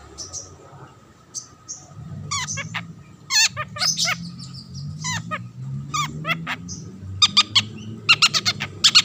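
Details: Long-tailed shrike (cendet), a singer to draw other shrikes into song: scattered sharp whistles and hooked chips amid quieter passages, with a low steady hum throughout.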